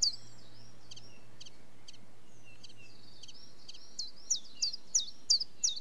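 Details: Common chiffchaff song: faint, scattered high chirps at first, then six loud, clear descending notes delivered at a steady pace of about three per second near the end.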